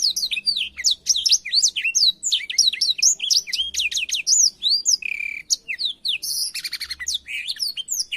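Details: Tutor song for teaching canaries, sung by a black-throated canary: dense, rapid twittering of upward and downward whistled sweeps, buzzy notes and a quick rattling trill toward the end, over a faint low hum.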